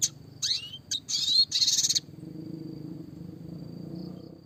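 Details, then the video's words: Red siskin, classic song used for small-songbird training: a brief high buzzy burst with rising slurred notes for two seconds, followed by near silence with a faint steady background hum. "burung red siskin klasik gacor suara jernih masteran burung kecil variasi roll tembak 34"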